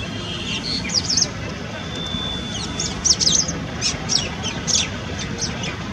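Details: Brahminy starling calling at Keoladeo National Park, Bharatpur, Rajasthan, India, in December 2018: bursts of high, squeaky chirps and chattering notes every second or so, over a soft low rumble of background noise.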